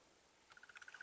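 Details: Crested barbet unseen in a tree above, at sunrise on 24 August during a safari drive: a fast, even, mid-pitched trill of rapid pulses like a muffled alarm clock, starting after a quiet opening.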